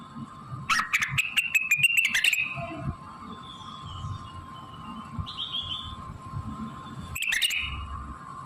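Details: Blue-winged leafbird delivering mimicked phrases of shama, canary and prinia: a quick chattering, whistled burst of under two seconds, a short upslurred note, then another brief outburst near the end, over a low hum.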